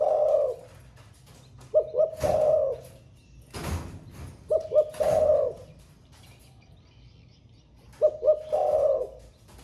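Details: Caged spotted dove singing in the thổ pha style, newly in song and cooing all day: three phrases, each two short clipped notes followed by a longer hoarse coo, about three seconds apart, with sharp knocks and cage thumps between.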